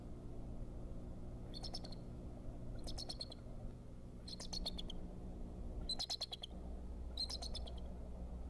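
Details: The male bald eagle at the Decorah nest, which held one egg, gives an alert on 26 February 2014, possibly while pursuing an intruder. He calls in five bursts of thin, high chittering notes, about one every 1.5 seconds, over low wind rumble.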